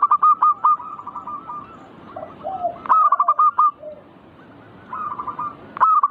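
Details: Perkutut, or zebra dove, in manggung song meant to stir other birds into singing; loud rapid trills of clipped cooing notes recur about every three seconds, separated by softer, distant-sounding phrases and low coos.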